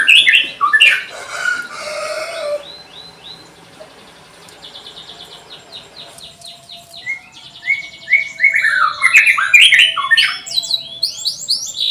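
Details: Canary song used as a lure to teach young canaries to sing: varied bright phrases, fast trills and chirps with rising and falling whistled notes, a quieter stretch of rapid buzzy repeated notes mid-way, then loud warbling again.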